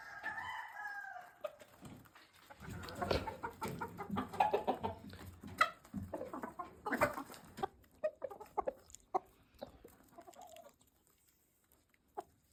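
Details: A brown red cock walks with barn hens that have gone about a month without seeing a mature cock. A wavering, sustained harmonic call opens, then dense rapid clucks and scratchy pulses, fading into quiet with one sharp click late.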